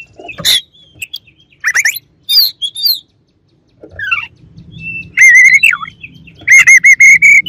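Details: White-rumped shama song of sharp chirps and bending whistles, ending in strong rhythmic repeated whistled notes over light background noise.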